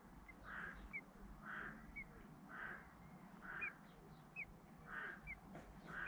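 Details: Common blackbird chicks, hatched about three to four days ago, in a nest in the UK while both parents feed them and remove waste; soft rounded calls repeat roughly once a second, with short thin high notes between them over a low background rumble.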